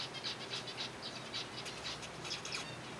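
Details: Feeding zebra finches in a colony given soft food give quick, evenly spaced nasal beeps, several per second, with a soft rustling background underneath.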